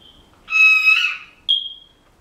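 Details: Pet Senegal parrot imitating household noises: a loud, buzzy, electronic-sounding tone lasting about a second, then a short, clear, pure whistle.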